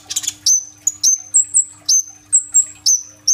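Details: Sunbird known as kolibri ninja, in gacor rolling tembak song used to prompt young green-phase birds to sing, recorded on a phone: a brief scratchy chatter, then very high sustained whistles alternating between two pitches.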